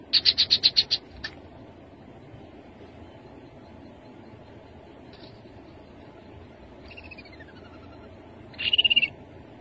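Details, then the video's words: Rufous-capped babbler: a fast burst of about seven high piping notes, a long pause, then a drawn-out wavering downslurred whistle and a closing buzzy trill. "Khướu bụi đầu đỏ. tiếng khướu đầu đỏ"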